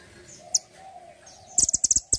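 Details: Singing actively as a master bird for training songbirds, a mantenan gunung gives a single sharp high chip and then a rapid run of shrill chattering notes against a low background hum.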